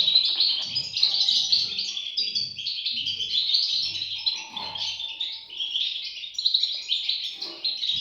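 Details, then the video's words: European goldfinch nestlings calling together: a busy, shrill twittering stream of quick chirps, with faint soft low bumps in the background. "صوت فراخ طائر الحسون"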